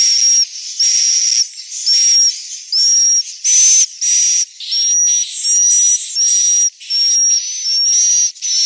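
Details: Swiftlet roosting call, Central Sulawesi, Indonesia: harsh, hissy high chirps with a thin whistled tone inside, repeated in steady bursts of about half a second, separated by short gaps.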